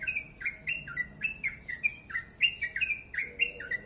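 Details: Yellow-vented bulbul singing a tight, speedy ropel phrase, crisp chirps stepping down and back up in a lively, bouncing rhythm.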